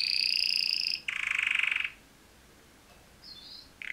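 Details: Canary mating song from two males heard more distantly: a steady whistled trill, a louder buzzing rattle for under a second, then near silence with a faint high note and a trill resuming.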